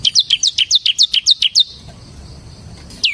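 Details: Rapid ngebren song of a ciblek semi bar-winged prinia, offered as a lure and master song: about eleven evenly spaced, bright downslurred chirps in a quick run, a pause, then one final chirp.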